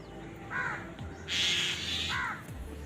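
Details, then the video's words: Crows quarrel while eating. A short harsh caw is followed by a louder, broad raspy outburst and then a second caw, over a low background hum. "Crow Crowing Sound Effect |Crow Bird Eating Scenes part 91| Sound of Angry Crows"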